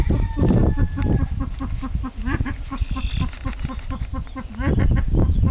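A male silver pheasant gives low, rapid clucking notes, about four a second, some with a slight upward lilt, over a steady low rumble.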